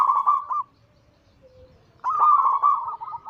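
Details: Zebra dove, a local Bangkok crossbred perkutut of cemani katuranggan silver line, giving its anggungan cooing song: a short rolling, trilled coo, a pause of over a second, then a longer burbling phrase at the same mellow pitch.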